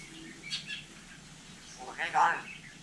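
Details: Hill myna in Vietnam imitating human speech: a brief high chirp, then a short harmonic, voice-like phrase with rising and falling tones near the end, over a steady low hum.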